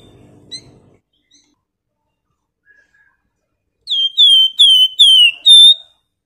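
A flamboyan bird gives five sharp, high whistled notes, each slurring downward, in quick succession after a quiet start with faint background rumble.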